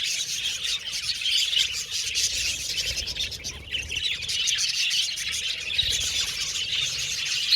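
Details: Budgies filling the air with continuous warbled chatter, quick high tweets and scratchy squeaks layered densely, loudness rising and falling gently, with a dip around four seconds.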